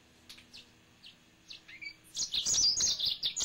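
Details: Several soft, separate high chirps from a pet male yellow-fronted canary come first, then after two seconds a loud, rapid, tumbling warble of high whistled notes bursts in and runs to the end.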